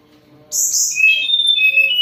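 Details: Moulting Sunda robin still singing actively: after a short silence, a sharp, very high whistled burst slides down into long, steady, ringing whistles with slight warbling.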